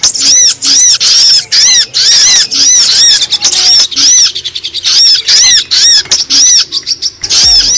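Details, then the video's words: Brown-throated sunbird calls used to lure wild birds down: bursts of high, rising-and-falling chirps separated by brief pauses, with faint low clicks between. "Suara pikat sogon paling ampuh terbaru!!!"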